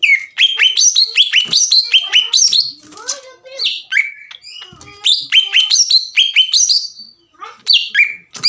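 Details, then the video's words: Green leafbird (cucak ijo) singing gacor, a pancingan track meant to provoke rival leafbirds into agitation and song: rapid bright chirped notes rising and falling between mid and high pitch in dense bursts, a quieter warbling pause midway, then renewed fast phrases. "MEMANCING CUCAK IJO LAWAN AGAR EMOSI DAN GACOR"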